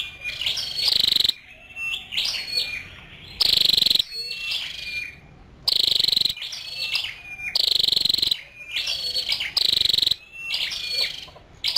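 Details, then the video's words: Female scarlet-backed flowerpecker: rapid thin high chips and short whistles broken by strong buzzy, rasping bursts, repeated steadily throughout. "Tiếng chim sâu đầu đỏ mái"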